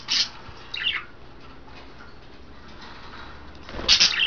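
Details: Caged pet budgerigars taking baths, females in a flock of five, 9 February 2012; two short harsh chirps, a long quiet stretch, then a loud scratchy burst with a dull thump, soft room hum throughout.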